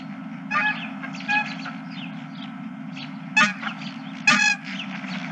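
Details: Many geese at a ranch on a late March evening, scattered honks with several louder, harsh bursts standing out from a background of fainter calls and a low constant hum.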